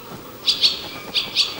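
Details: A barn swallow pair searching a stable's walls and corners together for a nest site in summer, twittering: four short, high, bright chirps in two quick pairs over about a second, against faint hiss.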